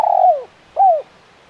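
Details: Spotted dove (tekukur), "KUK 1 mersik" cooing style: two mellow, slurred coo notes, the first longer and sliding downward, the second shorter and falling, then silence.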